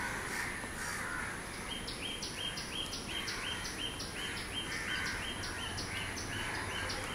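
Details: A drenched common myna in Mumbai gives a rapid run of high, clipped notes, about three each second, over a steady hiss of heavy rain.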